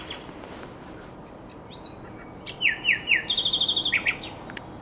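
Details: On the Żerań Canal during the night of 23–24 April 2022, a common nightingale begins quietly, then delivers repeated slurred whistles and a fast, rattling run of high clicks.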